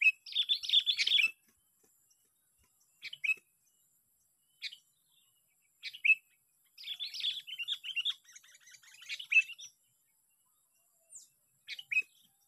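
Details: Park recording of a Sooty-headed bulbul caught by trapping. The bird opens with a loud, rich burst of chattering notes, then gives short scattered chirps. A longer, looser warbling run comes in the middle, and isolated calls close the recording.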